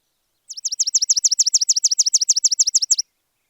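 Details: Sparrow giving a fast run of about sixteen sharp, high chirps, evenly spaced at roughly three per second, each a bright downward-then-upward note; clean background with no other sounds.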